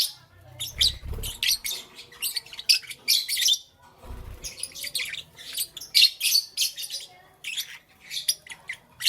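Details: Lovebirds chirping in the morning, a busy stream of sharp high squeaky chirps and short chattering bursts in uneven clusters, with a couple of low thumping knocks.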